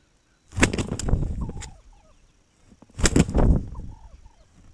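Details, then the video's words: Wild turkey recorded on May 7, 2021: two loud, harsh rattling bursts, each lasting about a second and spaced two seconds apart, with faint slurred notes trailing after each. "Wild Turkey"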